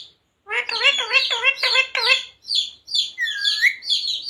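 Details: Pet parrot imitating "Radhe Radhe" and "Sita Ram": about six quick, rhythmic voice-like syllables, then softer chirps and a rising whistle.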